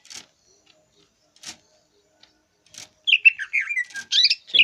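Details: Greater green leafbird song: three soft rasping bursts spaced apart, then a rapid jumble of loud, varied whistles and chattering notes.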